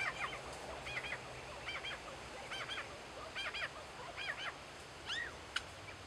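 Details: Lyrebirds mimicking kookaburras and laser guns: repeated pairs of sharp, downward-swooping laser-like notes about once a second, ending in a few falling zaps and a click, over steady background rumble.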